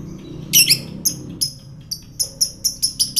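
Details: Lovebird lure calls for provoking fighter lovebirds: a loud harsh chirp, then a series of short, clipped high notes that grow quicker and more regular, about three per second by the end.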